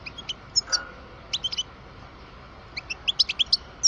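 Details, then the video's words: European goldfinch, a twelve-year-old parva bird kept in captivity, singing bright high chirps in small clusters, a brief pause, then a quicker run of twittering notes over faint background hum. "Chant parva le meilleur"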